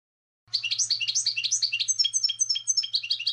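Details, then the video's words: High, rapid goldfinch twittering, recorded for goldfinches to hear, runs about three seconds with tumbling, varied chirps over a faint low hum. "Goldfinch Song CD - Clear Birdsong for Goldfinches"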